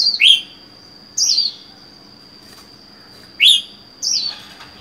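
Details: Solitary caged red-whiskered bulbul, four months in captivity: four bright whistled phrases, each dropping in pitch with a buzzy tail, separated by pauses of about one to two seconds, over a steady high whine.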